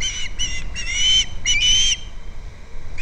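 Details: On a Captiva nest, recorded by a nest camera on February 2nd, an osprey gives a few clipped whistles, then two longer, drawn-out whistled notes that rise slightly before breaking off, followed by quiet.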